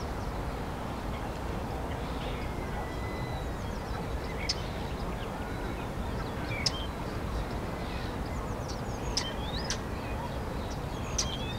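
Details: Starling in Hyde Park, London, in April 2016, giving scattered complex vocalizations: a long flat whistle, slurred rising and falling whistles and sharp isolated clicks spaced a few seconds apart, against constant low-pitched city rumble.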